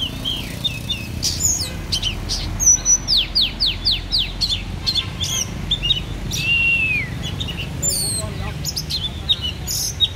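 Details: An Oriental magpie-robin, praised as a fighter, delivers a rapid series of downward-sweeping whistles, then a long clear slurred note and scattered chirps, with a continuous low hum and faint voices behind.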